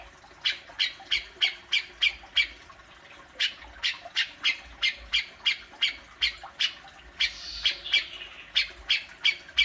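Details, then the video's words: Grey-cheeked bulbul besetan, a harsh challenging call played to rouse a kept bird: rapid rasping squawks in bursts of several notes separated by short gaps, one note smeared and longer near the end. "Burung cucak jenggot,besetanya luar biasa"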